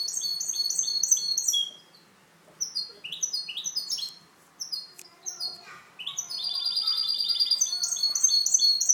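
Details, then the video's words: European goldfinch hybrid in captivity, a tutor bird for young singers, delivering clean song: rapid twittering bursts, a short gap, scattered sharp chips, then a long continuous run of high trilled and buzzy notes. "MIXTO JILGUERO CANTO LIMPIO"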